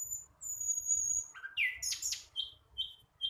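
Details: Learning flycatcher gives a thin high whistle, then a loud rising slur, a burst of harsh squeaky notes and a few short clipped chirps.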